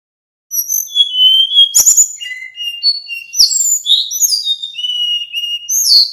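Male little pied flycatcher singing a quick run of thin, high whistles, some sliding and some trilled, with two sharp clicks between phrases.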